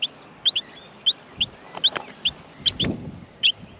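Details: Nest of young Australian miners wanting food: sharp, high squeaky chirps in an uneven series, mixed with low thumps and rustling from movement at the nest.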